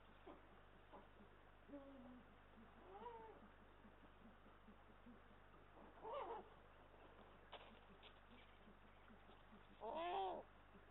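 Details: Eurasian eagle-owls, male and female, at a nest in Estonia on 18 March 2022, picked up by a live nest camera: sparse calls over steady hum, a short flat two-tone note and later loud arched, harmonic wails near the end.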